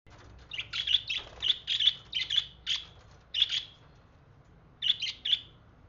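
Budgerigar chirping in quick bursts of bright, high, scratchy notes, with short pauses between runs.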